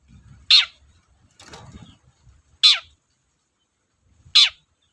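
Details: Long-tailed shrike giving three harsh, descending rasps about two seconds apart, used as a lure to provoke silent shrikes, with a brief rustling noise between the first two calls.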